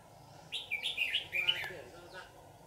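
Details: A red-whiskered bulbul used as a lure bird for trapping, recorded on 18 June 2019 in Dak Nong. It gives one brief phrase of warbled, slurred notes, faint against steady background hum and noise.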